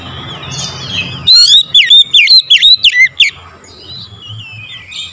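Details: Morning lure song of an oriental magpie-robin: a fast run of loud, clear whistled notes, some rising and some falling, lasting about two seconds, set against fainter background chirping and a low hum.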